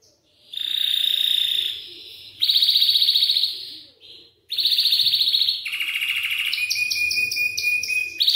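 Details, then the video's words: Belgian canary song meant to stimulate young birds to sing, built from successive rapid trilled tours that shift pitch, ending in a choppy, stuttering high passage. "Estimulando meu canário belga a cantar"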